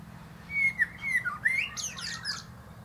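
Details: Common blackbird singing atop a plum tree: low fluted whistles near the start, sliding and warbling, then ending in a burst of high, squeaky twittering notes.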